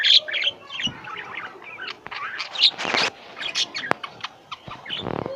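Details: At home, pet lovebirds give shrill squeaky chirps in uneven bursts, with a few louder harsh squawks and faint clicks.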